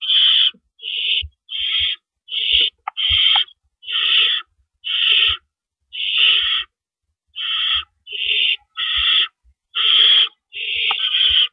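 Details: Early-morning owl nest on April 4, 2012, while adults bring and take rabbits: a sustained series of rasping, hissing screeches at an irregular pace, around a dozen in all, with scattered clicks and knocks.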